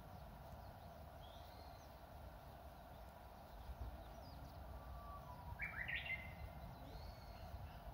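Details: At an old temple in Inzai, Japan, in spring among blooming cherry trees, a Japanese bush warbler gives a low level whistle followed by a loud, quick tumbling flourish; scattered high thin calls of other birds around it.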